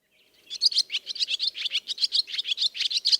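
A swallow's fast, bright twittering song: a rapid string of high chirps, about six or seven a second, running without pause.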